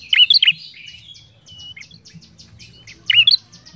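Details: Ashy tailorbird singing actively, with loud staccato phrases of three or four sharp, bouncing whistles at the start and near the end. Other birds chirp rapidly in between over a low hum.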